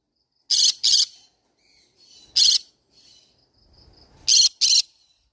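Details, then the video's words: Harsh, rasping screeches from a green-cheeked conure parrot: a double squawk, a single one, then another double, with soft quiet notes between. "green cheek conure parrot sound"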